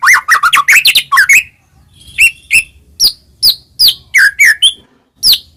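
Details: Song of a white-rumped shama, a full-repertoire master recording to excite other shamas: a rapid jumble of mixed notes, a pause, then crisp sharp chirps and downslurred whistles delivered in a quick irregular series.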